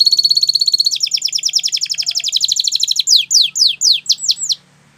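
Gloster canary song: a fast, rolling trill of high notes, then a run of sharper down-slurred whistles repeated about twice a second.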